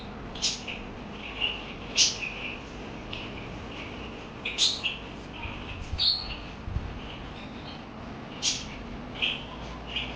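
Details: Parakeet chirping: sharp rising chirps alternating with softer warbled twitters, coming every second or two in an irregular chattering run over a constant low hiss.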